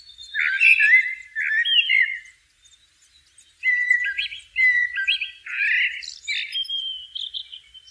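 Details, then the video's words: Blackbird singing in nature: a run of mellow, fluty, warbling phrases with a short pause after the first two, ending in higher, thinner whistles and twitters. "sounds of the Blackbird bird in nature"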